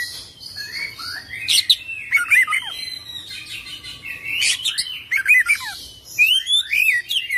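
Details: Kacer, or Oriental magpie-robin, singing in full isian, ngerol style: varied rapid phrases mixing sharp downslurred whistles, rattling bursts and looping warbled notes that return several times.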